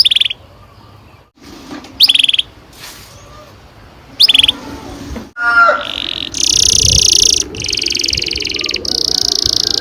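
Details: Canary giving a long rolling song used to stir young canaries into singing: scattered short sharp chirps with pauses, a quick descending warble, then long high buzzing trills over faint background murmur.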